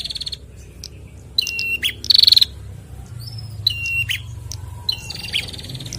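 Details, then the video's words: Male and female bar-winged prinia answering each other loudly: rapid buzzy trills near the top of the range alternate with short level whistled notes, in bursts spaced about a second apart over a faint low rumble. "Prenjak Jantan dan Betina Sahut-sahutan Gacor"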